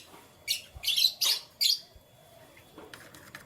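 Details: Canary chirping in the morning: four harsh, high chirp bursts in quick succession, then quieter rustling notes, with a faint steady high tone in the background.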